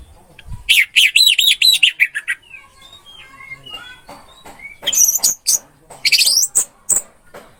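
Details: Orange-headed thrush song used as a training recording for caged birds: wavering whistled phrases around the middle-high range, then faint scattered chirps and a second burst of sharp high notes.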